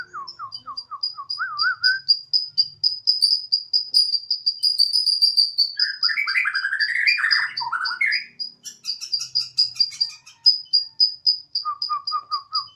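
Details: Spirited home-kept Borneo white-rumped shama: a brisk series of falling whistles, then fast, steady, very high ticking notes for several seconds, a loud warbled outburst midway, and more high ticks ending with low whistles.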